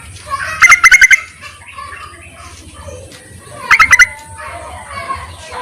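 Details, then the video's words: Male-calling voice of a yellow-vented bulbul, used for luring birds: two stuttering bursts of quick bubbly notes, some three seconds apart, amid soft twittering from other birds. "BURUNG TERUCUKAN MEMANGGIL JANTAN COCOK JUGA UNTUK PIKATAN"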